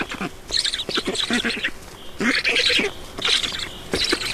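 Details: Feeding time at a black stork nest in Estonia, June 2019, afternoon: rasping, hissy squeals in uneven clusters of rapid pulses, separated by brief quieter gaps.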